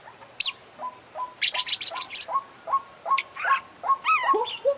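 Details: Oriental magpie-robin in full 'isian' fill-in song by a champion bird: a steady series of short mid-pitched clipped notes roughly twice a second, overlaid with high trills and a descending run of slurred whistles.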